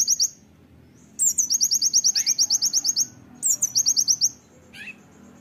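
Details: Oriental white-eye 'tembakan' training song: repeated loud bursts, each a high slurred opener then a rapid run of piercing, buzzy notes, separated by short pauses, with a few lower chirps between.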